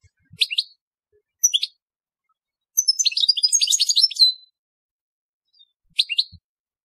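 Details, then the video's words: European goldfinch singing in the telqam style: short, sharp, high chirps spaced apart, one rapid liquid twittering phrase of about one and a half seconds in the middle, then a final chirp. "Chant Chardonneret telqam"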